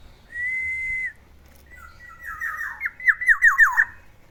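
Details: Black-naped oriole kept as a pet, singing in the morning: a long steady level whistle, then a rolling run of six short falling whistled notes delivered rapidly.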